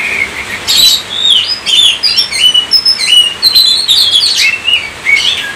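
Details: Kacer, the Oriental magpie-robin, singing gacor in Indonesia. Clear whistled phrases, some steady, some sliding up or down, mixed with sharp high chirps, delivered in quick succession with short gaps.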